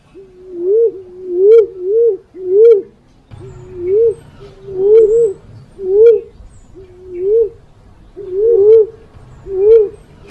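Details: Black-naped fruit dove calls played as a trapping lure: soft, low, wavering hoots, each with a rise and fall, in close runs of two to four with short gaps. A low rumble underlies the second half.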